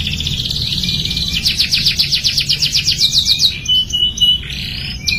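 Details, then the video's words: Canary singing, used to coax young canaries into song: a dense buzzy trill gives way to quick rising sweeps and a clear held whistle near the end, with faint low rumble beneath. "TERAPI KENARI PAUD AGAR CEPAT BUNYI | CANARY SINGING"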